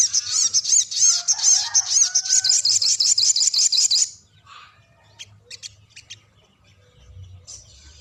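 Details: Sooty-headed bulbul giving a prolonged rolling song (ngerol panjang), described as singing freely: about four seconds of rapid, high, repeated chattering notes, then it stops and only scattered faint chips follow.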